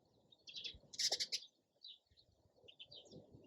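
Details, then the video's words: Sparrow giving scattered high chirps, with a loud buzzy burst of notes at about one second and softer tweets after, over a quiet rumbling background. "SOUND OF SPARROW RELAXING CHIRPING SOUND."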